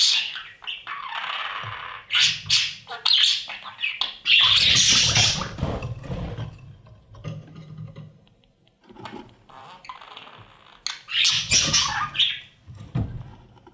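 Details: Budgerigar chicks fed by their parents inside a breeding nest box: long rasping, hissing squawk bursts, the loudest in the first half, then a quiet stretch of soft rustling before another raspy burst.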